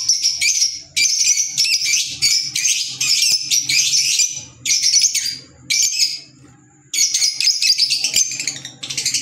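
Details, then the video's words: Shrill squeaky chatter from green Fischer's lovebirds, African lovebirds, coming in loud bursts of a second or two, split by short silences, with faint low background noise. "Fisher Love Birds Sound | African Lovebirds | Green Fisher Love birds Voice"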